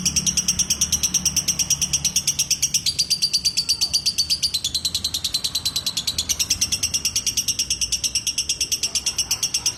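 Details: Ngekek song of a lovebird, a sustained run of sharp, high-pitched chattering notes at a fast, even pace for about ten seconds, the tone dipping slightly midway, with a soft low background murmur.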